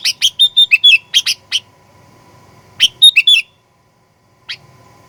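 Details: Sooty-headed bulbul in lively, aggressive lure song. Bright chirped notes come in a quick burst of about ten, then a pause, then a shorter cluster of slurred whistled notes and a lone final chirp, over a faint steady hum.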